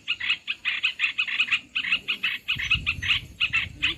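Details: Olive-winged bulbul sound used as a trapping lure: evenly spaced, harsh chattering notes about five per second, with a low rumble in the second half.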